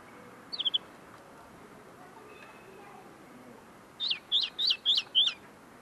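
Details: Common linnet, a tame bird still refining its song, sings at close range: a brief twittered note, a pause, then five quick identical upswept chirps in a row.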